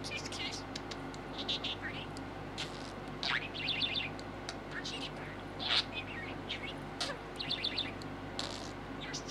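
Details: Pet male American budgie, six months old, chattering and talking to his green yoyo ball; rapid warbled trills and quick repeated high ticking notes in clusters, with brief rising squeaks between them.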